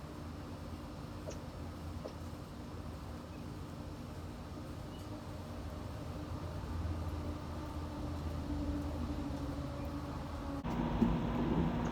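Steady low rumble of vehicle or train noise with no animal calls, ending in a brief clatter and hiss.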